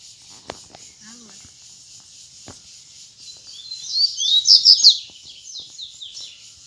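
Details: In the wild, a Double-collared seedeater sings against rivals in the "grego" style. After a few faint clicks and rustles, a rapid burst of high twittering and slurred whistled notes peaks around the fifth second and then fades.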